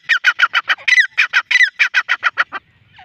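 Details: A male grey francolin gives a fast run of about fifteen loud, harsh, ringing notes, several per second, then stops. Faint soft sounds follow.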